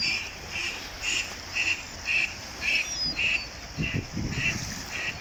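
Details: Ducks calling with natural sound: a steady series of short, nasal quacks repeated about twice a second, with faint low splashing or rustling near the end.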